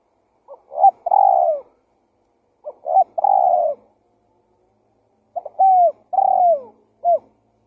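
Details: Spotted dove cooing as a lure: three low phrases, each of quick introductory notes and a drawn-out, purring coo that slides downward, spaced about two and a half seconds apart, with no other sounds.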